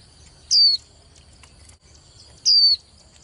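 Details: Two clear, high-pitched, downslurred whistles about two seconds apart from a young female white-eye, the kind kept to stir males into competitive singing; faint ticking and a thin steady tone fill the gaps.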